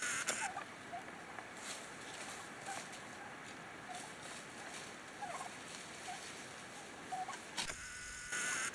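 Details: A family of wild turkeys in Coronado National Forest gives short soft notes, repeated every second or so through the clip. Gusty autumn wind blows behind them.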